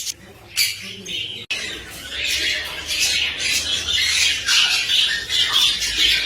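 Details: Cockatiel; mating call; courtship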